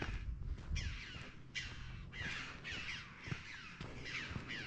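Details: At a derelict mining site at Mazarrón, Spain, jackdaws give short, sharp, slightly downslurred 'chack' calls, about one every half-second to second, over low wind rumble.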